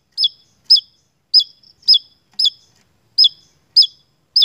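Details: Energetic Javan tesia song used as a lure recording: loud, piercing high notes that dip at the end, given about every half second in a steady series, with nothing else audible.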